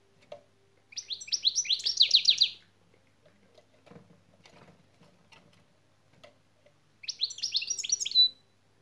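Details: Goldfinch şak şak phrase used in European goldfinch song training: two bursts of rapid, sharp, high-pitched chattering notes, about fifteen clipped notes each, separated by several seconds of near silence with faint clicks.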